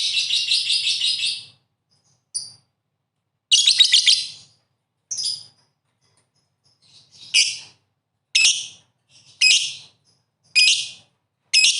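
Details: Lovebird in full chatter: a long rasping, high-pitched squawking burst, then separated shrill screechy notes and short squeaks spaced one or two seconds apart.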